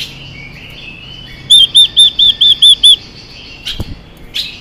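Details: Female Chinese hwamei singing to stimulate male birds: after quiet, seven ringing arched whistles fall in steady rhythm, followed by a few soft, noisy rustles.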